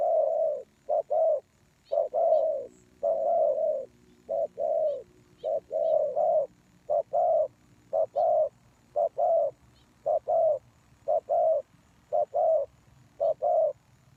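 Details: Spotted doves used to lure wild doves, with steady, overlapping two-note coos packed closely together over fourteen seconds and occasional faint higher chirps from small birds.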